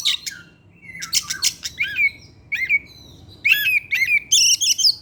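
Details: Oriental magpie-robin (kacer) singing continuously in the evening as a lure song, showing imitated material: harsh buzzy bursts mixed with rising and falling whistled notes, delivered in quick varied phrases with short pauses.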